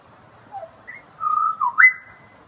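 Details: A butcherbird sings its love song, a few clear, flute-like whistles: a short falling note, a sustained mellow tone that dips, then a sharp rise to a long high whistle.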